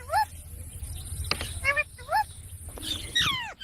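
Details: Parrot making short rising harmonic notes and one long falling squawk near the end, spaced irregularly across a few seconds over steady low background hum.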